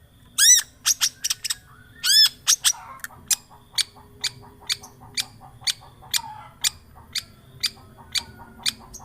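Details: Long-tailed shrike lure recording meant to set a silent bird singing: two loud arched, harmonic-rich screeches open, then dry sharp ticks repeat roughly every half second over a faint low hum.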